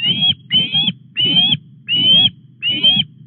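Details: Osprey at a Llyn Clywedog nest in Wales during a morning fish delivery on 4 August; five loud, harsh whistled calls with rising tops, spaced about half a second apart, over low rumbling noise.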